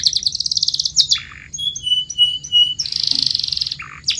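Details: Canary song used to train caged canaries to sing: a fast high trill, a low buzzy roll, thin pure whistles, then a dense rattling roll and another low burst.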